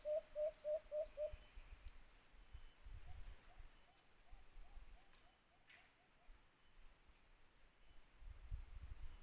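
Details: White-eared brown dove, locally called alimokon, recorded during trapping with a cage trap: five loud, evenly spaced hollow hoots in quick succession, then a fainter run of similar notes further off, over rustling background.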